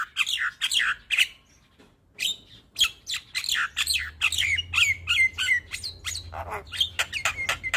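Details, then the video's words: Black-winged starling, a white-eyed champion songbird, in a full-fill training song recording: harsh squawks and chattering bursts alternate with bright whistled notes, delivered in rapid uneven runs about three per second, with a soft low hum underneath. "Masteran Jalak Kebo Full Isian Tayang Setiap pagi - Jalak kebo Mata Putih Juara Kicau"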